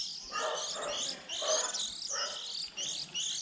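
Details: Young white-eyes at the start of the 2020 season, a lure recording for trapping: high thin twitters and a clear rising whistled note among softer buzzy chatter.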